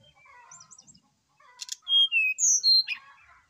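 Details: In the morning, a brown-chested jungle flycatcher, worked up and singing hard, gives soft twittering, then a run of loud clear whistles stepping downward, ending in a sharp buzzy note; recorded as a lure to make other birds sing.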